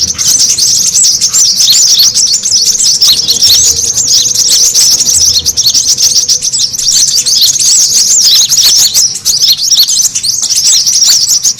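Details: High, excited twittering of brown-throated sunbirds used as a lure call: a continuous tangle of thin chirps and rapid squeaky phrases with almost no gaps.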